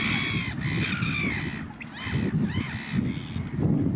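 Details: A young pied avocet at Benthuizerplas, Netherlands, gives ringing, slurred calls, first in a steady run, then as separate down-curving notes, over a low rumble of wind.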